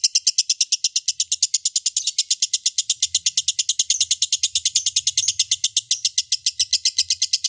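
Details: A lovebird delivering its long ngekek chattering song: a fast, unbroken run of sharp, high rattling notes, about four per second, held steady for the whole stretch with a faint low hum beneath.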